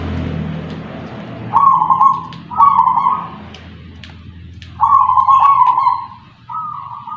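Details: A kept zebra dove (perkutut), a local wild-origin bird from Punden, Tuban, East Java, gives four soft, purring trilled coos, each about half a second long, in two pairs over faint low rumbling.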